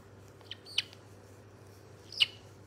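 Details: Three brief, piercing high squeaks from a white-bellied caique, recorded 27 August 2022, the last the loudest, over a soft low hum.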